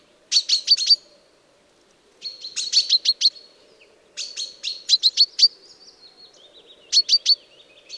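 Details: Hunting-lure recording of a common chaffinch giving short clusters of crisp, high, rapidly repeated notes in four bursts, one ending in a thin, wavering descending tail; a low background hum continues throughout.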